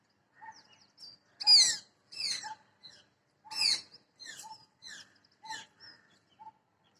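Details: A parrot perched in a tree gives loud, harsh, screechy calls in short broad bursts roughly a second apart, with fainter clipped chirps and thin whistled notes between them against an otherwise quiet background.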